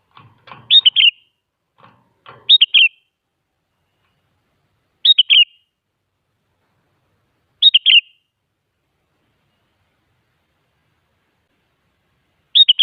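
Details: Lively sooty-headed bulbul song used to stir silent bulbuls into answering: a series of brief, chirpy three-note whistled phrases spaced two to five seconds apart, with soft clicks and rustles early on.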